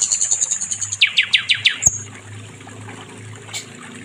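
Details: Nightingale, sikatan londo, kept as master song for training other songbirds: quick high ticking notes, then several strong downslurred whistles and a sharp high note, followed by near silence with light background noise.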